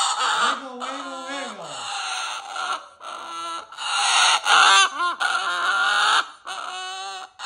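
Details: Pet cockatoo indoors mixing harsh screeches with low, gargling, voice-like croaks and short wavering yelps, the calls coming in irregular clusters.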